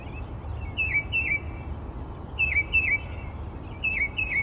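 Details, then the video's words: Northern mockingbird singing at 4 am outside a bedroom window in Texas; slurred falling whistled notes given in pairs and triplets every one and a half seconds, with a steady high tone behind. "Mockingbird Singing Outside My Bedroom Window...at 4am!"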